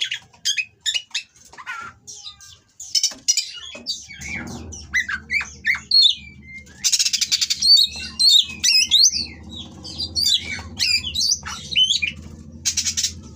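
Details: Oriental magpie-robin in breeding condition, singing coarse material to rile rival birds: a long run of sharp, varied whistles, harsh squeaky notes and rapid slurred phrases, with a low steady hum behind.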